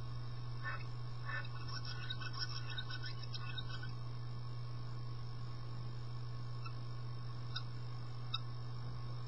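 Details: Common starling chicks in a nest box give a quick run of thin, raspy chattering calls over the first few seconds, then a few isolated clicks, over a steady low electrical hum.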